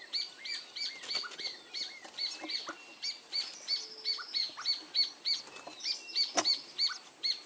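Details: Chicks of a white-necked thrush (zorzal blanco) beg with thin, high, squeaky notes, several overlapping and repeating about three times a second, over faint outdoor background noise.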